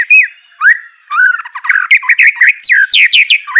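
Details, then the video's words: White-rumped shama song used to prompt a lazy, silent bird to answer and sing: loud clear whistled notes, rising slurs, then a fast run of sharp, varied, rapidly repeated phrases, with no other sounds. "Murai Batu Malas BUNYI Pasti LANGSUNG NYAUT NARUNG dan GACOR"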